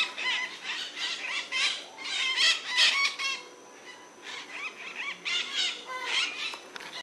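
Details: A noisy group of white-eyed parakeets in Brazil gives dense, grating squeals and screeches that build up, briefly fade, then resume in irregular bursts.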